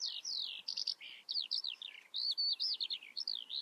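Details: Eurasian skylark song: a fast continuous stream of high chirps, slurred whistles and trills, rising and falling notes packed tightly with barely a pause, over a quiet background.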